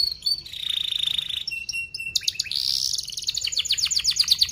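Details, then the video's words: Training song for young canaries, delivered fast with dense chirping rolls: a rolling buzzy trill, short clipped notes, then a long accelerating run of bright downward-sweeping whistles. "Kenari Gacor Paud SPEED RAPAT Cuit cuit Ngerol, Pancingan Kenari PAUD BELAJAR BUNYI"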